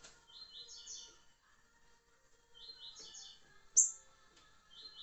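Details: A green-winged saltator delivers its liso curricutil song, dated 26 July 2023: two short phrases of rapid, rich whistled notes a couple of seconds apart, a loud sharp click, then another phrase beginning, over a steady faint hum.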